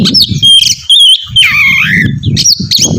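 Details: Oriental magpie-robin singing to draw another bird into song: clear whistled notes and a drawn-out slurred phrase over steady low rumbling background noise.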